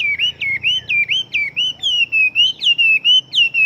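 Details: Very fast-singing Chinese hwamei, a big fighting bird, repeating one ringing whistled note about three to four times a second. Each note dips and then levels off, in a steady, insistent chain.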